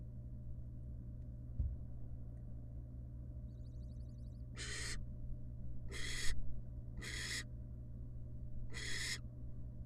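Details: Wild barn owl in a monitored nest box, the mother returning to her young after regurgitating a pellet; quiet hum at first, then four loud, harsh, breathy hisses about one second apart in the second half.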